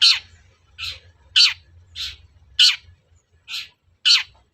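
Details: Long-tailed shrike provoking call for caged birds: loud grating rasps repeated roughly every six tenths of a second, each one short and scratchy, over a low continuous rumble.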